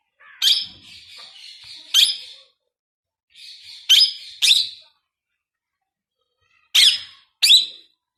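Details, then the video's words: New pet Indian ringneck parakeet trying to talk for the first time: buzzy warbled chatter broken by piercing high squawks, then a pause before two more short, sharp screeches close together. "My New Ring Neck Parrot first time Talking"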